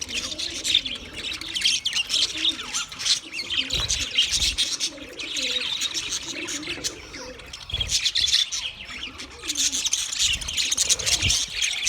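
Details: A flock of budgies chattering, high busy twittering throughout with soft low cooing-like murmurs mixed in, the noise swelling and easing in waves.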